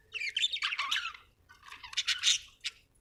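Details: Budgie from Australia chirping in a fast run of high, scratchy warbled notes and squawky chatter, two busy bursts with a brief gap between.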